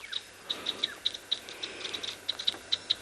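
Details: Several Chinspot Batises alarm calling at a dam in a South African private game reserve on an afternoon safari, possibly at a snake: sharp high ticking notes repeated rapidly and irregularly, several per second, over quiet background.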